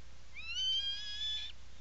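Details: Close single call of an Atlantic puffin in its nesting burrow on Seal Island, Maine, 17 July 2018, afternoon: a rising onset into a steady, strong whistled tone with layered overtones, roughly one second long.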